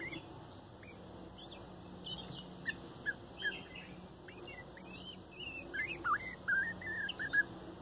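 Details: Soft, complex morning song of a young male bird, the strongest chick of a 2019 nesting, recorded at close range: varied short whistled and chirping notes, some rising and falling, becoming denser and louder toward the end, with steady low hum behind.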